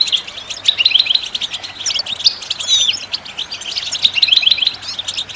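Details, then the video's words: Goldfinch singing to stimulate other birds: clusters of sparkling high chirps and twitters, a couple of thin sliding whistles in the middle, then another run of quick bright notes. "How do you make your bird goldfinch song in its first minute ?"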